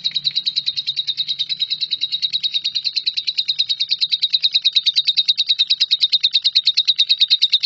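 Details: Lovebird singing in the long, continuous 'nyambung kuntilanak' style, used as tutor material for shrikes: rapid, even run of high, harsh chirps, about three per second, unbroken for the whole stretch, with a faint low hum beneath.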